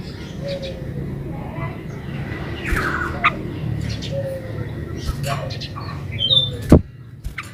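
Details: Yellow-vented bulbul song in the lively 'gacor ulpik ropel' style, used as a lure to make other bulbuls answer and sing; short bubbly whistled phrases sliding downward, scattered among faint chirps over a steady low hum.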